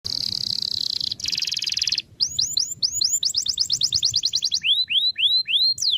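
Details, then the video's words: Domestic canary singing in a lively, ornamented style, used to train young canaries: a fast buzzy trill, then a coarser rattling roll, then a quick run of bright rising whistled notes that slows into evenly spaced upslurred whistles. "Kenari gacor cengkok mewah"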